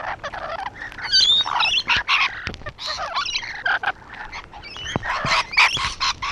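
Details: Several rainbow lorikeets perched on a wall give harsh, raspy screeches and chatter in dense overlapping bursts, with squeaky rising notes mixed in and brief pauses between loud outbursts.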